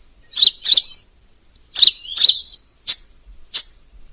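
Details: Two loud, high double chirps with buzzy downslurred tails from a Crimson sunbird, then a pause, another pair, and two single sharp tsip notes near the end. The background is silent.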